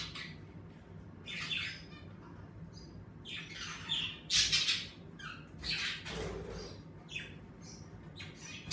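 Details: Indoor pet budgerigars squawk and chirp in scattered, grating bursts over a quiet room hum, with one louder rasping call in the middle and a soft noisy swish after it.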